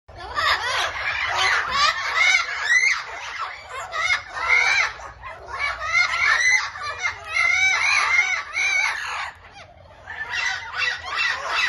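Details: Wild red-browed amazons in Brazil: a noisy group giving harsh, raucous squawks and screeches that overlap almost continuously, with a brief lull near the end and low rumbling background noise.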